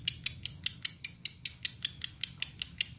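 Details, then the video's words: Lovebird from Indonesia, sound used as a lure to provoke other lovebirds into singing: sharp, high, clipped chirps repeated steadily about five times a second, each note bright and metallic, with faint low hum beneath. "Pancingan lovebird paling ampuh."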